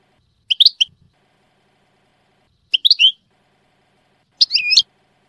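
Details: A European goldfinch gives short clusters of sharp, high tinkling chirps, three bursts spaced a couple of seconds apart in a quiet setting.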